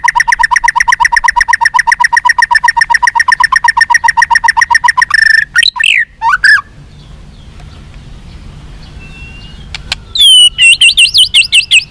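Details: Singing White-rumped shama, meant to stir captive birds into fighting and responding: a long rapid rattling series of harsh repeated notes for five seconds, a few sweeping whistles, a quiet pause, then high looping whistled phrases.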